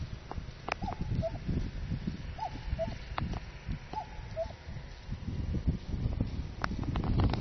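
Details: A cuckoo that often comes to a farm field, with a call that ends in a cough-like note; three two-note cuck-oo phrases about one and a half seconds apart, against loud low rumbling and scattered clicks.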